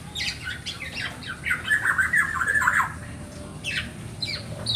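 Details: Young black-naped oriole begging to draw its parents near, giving rapid rasping squawks that run into a dense, wavering chatter, then short separate harsh notes after a pause.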